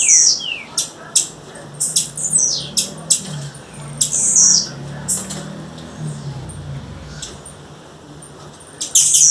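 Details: Female blue-black grassquit calling in the wild: repeated sharp high chips and a few falling whistles in the first half, then a quieter gap, with a faint low hum underneath.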